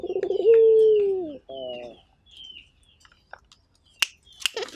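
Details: Turtle dove gives one pulsed, rolling lead-in and a sustained, falling coo, then a short stuttered note. Faint chirps of small birds and sharp clicks follow in the quieter second half.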